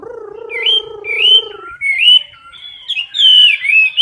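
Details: Caged Chinese hwamei filmed close up during competition singing: a low, wavering hum-like note first, then clear rising whistled phrases, repeated and swooping upward.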